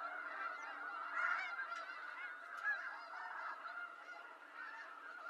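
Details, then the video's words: Wild snow geese from eastern North America calling as a flock, a soft continuous chorus of overlapping nasal honks at moderate distance, with a couple of slightly louder calls standing out near the middle. "Snow Goose Sounds"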